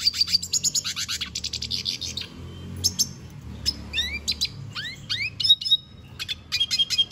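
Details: Singing red siskin: an opening burst of dense high twitters, then scattered sharp chips, rising swept whistles and thin sustained notes with gaps between them.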